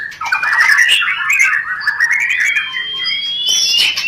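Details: A white-rumped shama gives rencetan to stimulate mating: a rapid chattering burst at the start, then a long wavering whistle that slowly climbs, ending in a noisy high flourish.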